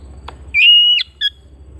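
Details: Home-kept Oriental magpie-robin: a faint click, then a long flat whistle ending in a twist, and a brief separate note a moment later; otherwise near quiet.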